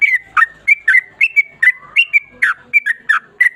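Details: 'Ropel panjang' song of a Yellow-vented bulbul: rapid, bubbly chain of clear whistled notes, some rising, some dipping, delivered almost without pause at roughly three notes a second.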